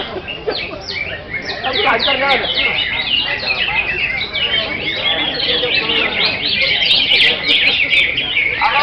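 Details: Greater green leafbird singing vigorously: rapid, tangled stream of sharp whistles, chirps and trills tumbling without pause, growing busier and louder toward the end.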